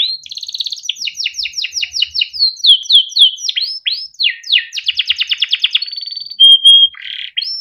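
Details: Yellow Timbrado canary singing melodically, a varied run of quick downslurred notes, rapid trills and sustained pure whistles, loud and continuous.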